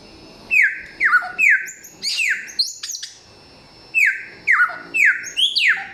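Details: A samyong sings in loud, clear bursts: falling whistled notes and sharper high squawky phrases, a silent pause of about a second midway, then more descending whistles.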